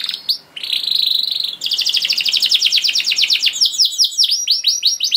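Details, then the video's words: Canary kenari song with light background hiss: a short note, a sustained buzzy trill, then a rapid roll of repeated notes that slows into separate downward-swept whistles. "Seketika Kenari Kondisi Apapun Akan Langsung Respon Bunyi Gacor Panjang Tanpa Nunggu Lama"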